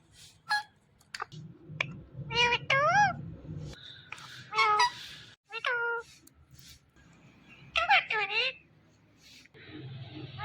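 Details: Indian ringneck parakeet calling out its name: wavering, warbled voice-like phrases and sharp clicks in bursts, with a low hum and room noise between phrases.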